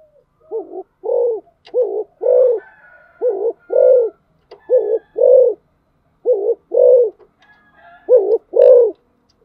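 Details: Spotted dove performing rapid 'thúc gù' cooing, roughly six pairs of low rounded coos, short-long, pouring out with little pause and faint clicks in the background.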